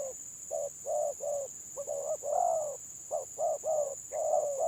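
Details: Stuttering 'gagap' song of spotted doves in a contest: broken clusters of short hollow coos, then a longer rising coo near the middle, over a constant high-pitched hiss.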